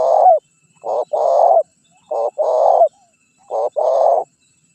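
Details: Spotted dove lure call, used to attract wild birds and provoke them into calling. A tail-end coo, then three paired phrases of a brief note followed by a longer mellow coo, evenly spaced in a clean recording.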